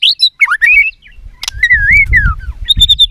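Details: Caged white-rumped shama in Vietnam singing fighting song: jumbled rising and falling whistles, a sharp click, a long wavering whistle, with low thumping noise in the background.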